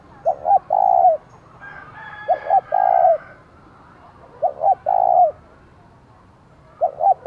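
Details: Decoy spotted dove urging wild doves to respond, giọng thổ voice. Its three-part phrase, two short coos and then a longer one, repeats about every two seconds. A rooster crows faintly between the phrases.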